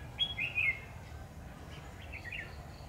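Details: Red-whiskered bulbul acting as a trap decoy, with a brisk burst of bright warbling notes early on, followed by softer, fainter chirps against a low rumble.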